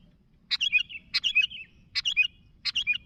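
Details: Sooty-headed bulbul calling to its flock mates with four quick phrases, each a sharp click leading into a bright, bubbling whistled flourish, given roughly every three quarters of a second over faint low noise.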